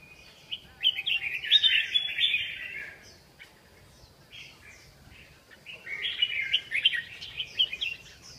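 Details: Red-whiskered bulbul song: two bursts of rich, rolling, chattering whistles separated by a pause of a few seconds, with faint background noise.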